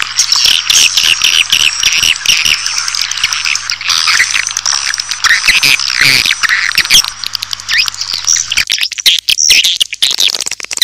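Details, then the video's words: Lure sound for attracting swiftlets: a busy mass of high chirps and twitters above a continuous shrill tone, with a low hum beneath. The chatter thins into sparse clicks near the end. "Pakai Suara Inap Memanggil burung Walet"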